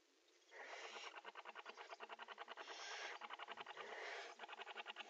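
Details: During mating in a nest box, barn owls produce a fast, stuttering rasp: rapid harsh pulses run together into long rattling trains lasting several seconds, briefly broken and resumed.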